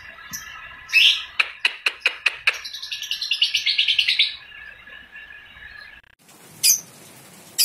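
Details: Vocal young balibu lovebird: a few sharp separate chirps lead into a quickening run of rasping ngekek chatter lasting about two seconds, then near silence and two brief high notes.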